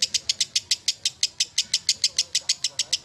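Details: Lovebird chattering in evenly spaced, sharp, high notes, about six per second, over quiet background noise.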